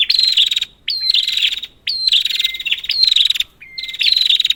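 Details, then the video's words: Prinia lure sound: near-continuous, strident, buzzy, pulsed bursts, roughly one per second, with short, flat whistles slipped between them. "Prenjak, Pancingan ampuh untuk burung prenjak macet"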